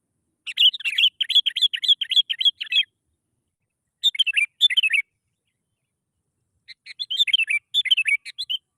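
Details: Lure song of the Sooty-headed bulbul meant to trigger singing in other bulbuls. A long run of rapid, bubbly, up-and-down chirped notes, then a shorter burst and a third chattering phrase after pauses.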